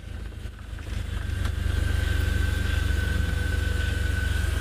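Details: A safari vehicle engine throbs with a low, pulsing rumble and a steady hum that grows louder after the first second. No animal call is heard.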